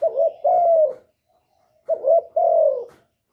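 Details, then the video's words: Cooing male spotted dove urging a hen to lay: two phrases, each a brief throaty note followed by a long, slightly descending hollow coo, separated by about a second of silence. "Tiếng chim cu trống kích mái mau đẻ"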